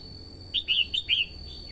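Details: Singing female red-whiskered bulbul, urging on the male and calling wild birds: a rapid run of four to five rich, slurred whistles packed into under a second over faint hiss.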